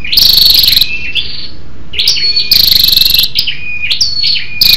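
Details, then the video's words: A female scarlet-backed flowerpecker's lure call to excite males: long loud pulsed rattles separated by high sliding chirps and level whistled notes. "SÂU ĐẦU ĐỎ MÁI RO KÍCH TRỐNG- Giọng MỒI HAY"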